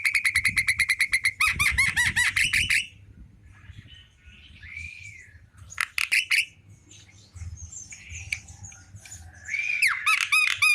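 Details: Javan myna singing in the afternoon: fast runs of loud, harsh repeated notes, then a pause with a downward-curving whistle and scattered squeaks, ending in another rapid burst; a low hum runs underneath.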